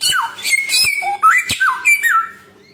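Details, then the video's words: Samyong bird, noted as having a thousand and one sounds. Loud, dense phrases mix harsh squawks with sliding whistles that dip and rise, then fade away at the end. "burung samyong 1001 suara"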